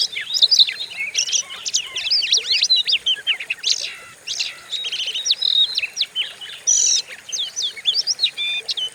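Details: Oriental magpie-robin lure recording to rouse other songbirds: intense, nonstop medley of scratchy chips, high whistles and rapid trills, briefly pausing midway before resuming at full pace.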